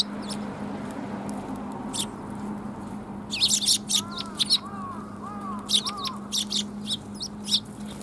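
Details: Several sparrows gather to be fed at a Tenmangu shrine, 14 March 2021: scattered high chirps in clusters, some soft lower arched whistles midway, and a constant low background hum.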